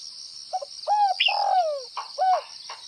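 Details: Spotted dove from northwestern Vietnam (Tây Bắc) giving its bowing coo (gáy gù). Short low cooing notes, one long note sliding downward, then a further doubled coo. Brief higher chirps from another bird overlap near the middle.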